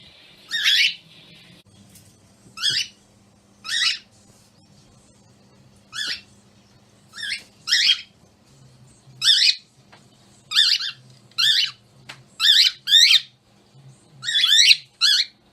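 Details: A pet cockatiel, noisy all day, gives loud, harsh rising screeches repeated in irregular bursts every second or two.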